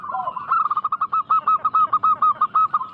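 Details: Local zebra dove used as a lure to make wild doves answer, giving a fast staccato series of short, clipped cooing notes, evenly spaced and steady in pitch over three seconds.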